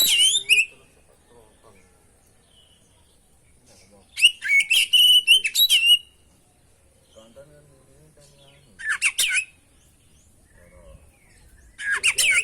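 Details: Kacer, or oriental magpie-robin, singing constantly in a training recording meant to trigger song: separated bursts of whistled notes and grating chatter, including a two-second run of rising whistles, with quiet gaps between phrases.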